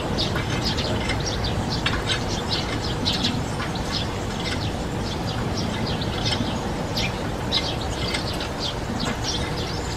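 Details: European serin singing a continuous stream of short, high, scratchy chirps in quick succession over a steady low rumble of background noise.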